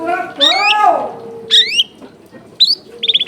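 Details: Long-tailed shrike with a clear, mimicry-rich song: a harsh buzzy squawk, a rising nasal note, a short high whistle and a fast four-note trill at the end.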